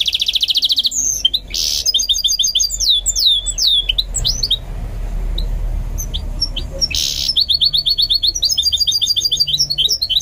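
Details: A goldfinch mule trained to sing opens with a harsh buzzy rattle, then pours out quick twittering phrases and downward-sliding whistles, falls quiet, and resumes with another buzz and chattering notes.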